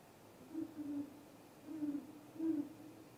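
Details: Great horned owls on 20 March 2022 give deep, soft hoots, a few low notes about a second apart over quiet hiss, seemingly reacting to a strange unidentified noise.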